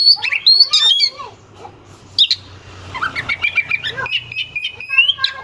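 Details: Oriental magpie-robin singing at full volume, its song used to provoke rival birds into singing: sharp whistled notes and harsh rapid trills, rising and falling phrases, with a low hum underneath.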